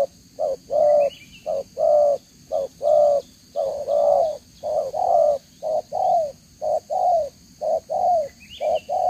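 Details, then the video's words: Spotted dove, a captive male singing bird from Vietnam with a fine two-band collar, 11 June 2023; steady series of soft hooting coos, short and long notes alternating, some falling slightly, with a faint high whine behind. "ĐỒNG gáy 1 Hậu"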